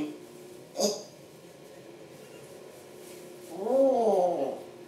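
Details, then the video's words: Captive African grey parrot making noises indoors. After a short sharp sound comes a rising-then-falling nasal, voice-like call that lasts about a second. "african grey parrots talking and making noises and swearing"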